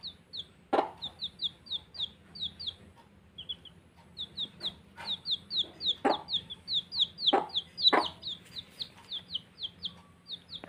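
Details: Baby chicks playing keep up rapid, overlapping high peeps, each sliding downward, nearly continuous for ten seconds, with several sharp knocks and a low background hum.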